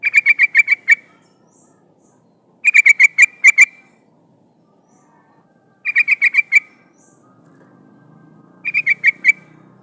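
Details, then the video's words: Female sooty-headed bulbul in breeding condition, calling the male to lure wild birds; four bursts of six to eight rapid, sharp chattering notes spaced about three seconds apart, with a faint low hum late on. "trucukan betina memanggil jantan"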